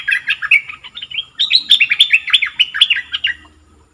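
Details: Caged red-whiskered bulbul kept as a decoy bird: a loud, lively run of slurred, warbling whistled notes that rise and fall in quick, repeated phrases for about three and a half seconds, over a faint low hum.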